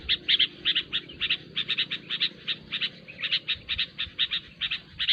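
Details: Noisy sooty-headed bulbul sound meant for attracting bulbuls to a trap; clipped chirps in pairs and triplets repeated steadily for five seconds over faint low hum.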